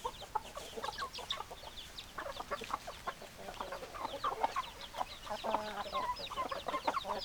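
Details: Chicken flock clucking steadily, a crowded mix of short notes and high chirps that grows busier and louder toward the end, with a drawn-out tonal squawk midway.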